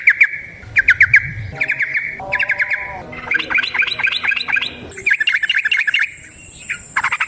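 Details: Lure recording of yellow-vented bulbul 'ropel' singing: bursts of harsh, rattling chatter and squawky trills in quick series, with a thin steady high whine and short gaps between bursts.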